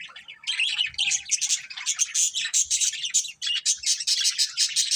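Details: Chirping from a breeding pair of budgies: rapid, scratchy warbled chatter in short pulsing bursts several times a second, steady throughout, with a faint soft whistle near the start.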